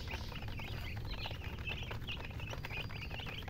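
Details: Chicks chirp in bursts of high, twisting peeps, some louder and clearer, with soft pattering sounds and low background rumble.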